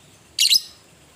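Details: Fighting lovebird, ngetik ngekek style: one brief, harsh, high double screech lasting a fraction of a second against a quiet background.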